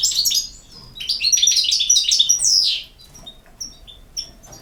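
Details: European goldfinch singing a rapid, sparkling twittered phrase that ends in a downward slur, followed by sparse single high notes.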